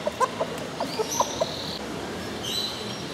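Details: Pretty little chickens with feathered feet at the Biosphere in Potsdam give a handful of short, soft clucks in the first second and a half, with drawn-out high whistles from other birds overlapping.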